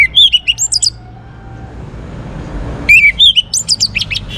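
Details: Orange-headed thrush, a young bird in full song for prompting other birds to sing, gives two rapid phrases of sweet, looping whistles that jump between pitches, with a quiet pause and faint rumble between them.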